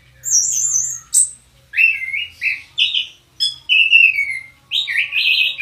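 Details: Orange-headed thrush song: a long run of clear whistled phrases, one high sustained note, then warbled and slurred notes swooping down and up, broken by short pauses. No other sounds intrude.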